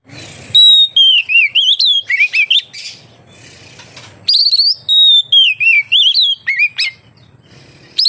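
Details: Oriental magpie-robin in steady, relaxed song, used as a lure to prompt other magpie-robins to sing: two bursts of loud, clear whistled notes, slurred up and down in quick succession, separated by a short quiet gap.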